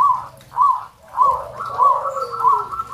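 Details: Local zebra dove song of mellow, rounded notes spaced about half a second apart, over a softer, lower sliding coo.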